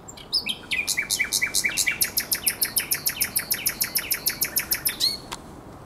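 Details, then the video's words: Common nightingale singing at the Żerań Canal on the night of 23–24 April 2022: a few opening whistles, then a fast, even run of about twenty-five sharp, clicking notes that ends in a rising whistle, over a quiet background hiss. "Śpiew słowika rdzawego na Kanale Żerańskim"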